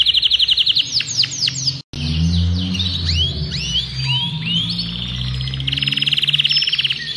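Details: Adult male Belgian canary, Agatha breed, singing to ready a female for breeding and train young birds; fast rattling trill, brief cut, then looping whistled slurs and a buzzy trill, with a low hum beneath.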